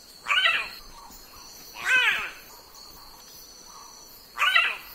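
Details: Raven from the Australia, Oceania and Southeast Asia region giving three harsh, hoarse caws about two seconds apart, with a steady high insect drone running behind.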